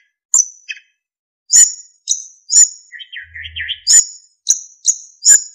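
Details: Narcissus flycatcher (sikatan emas) recorded as a master song for other songbirds: sharp high chirps repeated about once a second around a low warbling twitter.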